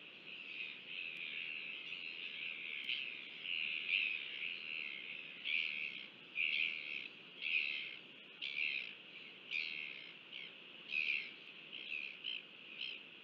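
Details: Royal albatross in New Zealand, a father feeding its chick, filmed by a nest webcam on 5 February 2023: short harsh bursts repeat roughly once a second, uneven in loudness, over a constant hissing wind-like background.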